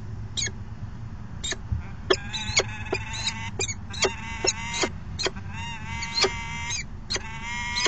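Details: At a peregrine falcon nest box on 22 August 2018, the male calling to the female while delivering food: nasal whining wails interleaved with sharp clicking chips, irregularly repeated.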